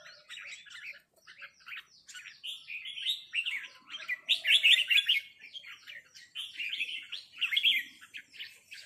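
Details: Red-whiskered bulbuls answer a resident territorial bird with 'rik' calls. Dense, scratchy chattering comes in uneven bursts, with louder, busier phrases near the middle and quieter notes between them.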